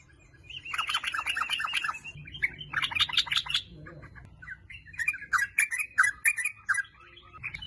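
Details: Sooty-headed bulbul singing as a lure to make bulbuls sound off: dense bursts of fast, chattering notes, then a lull, then a run of spaced, bubbly phrases, over a steady low hum.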